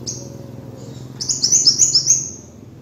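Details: Kolibri wulung (sunbird) master song for training birds: a brief high note, then a fast, bright trill of repeated sharp notes lasting about a second, over a low hum.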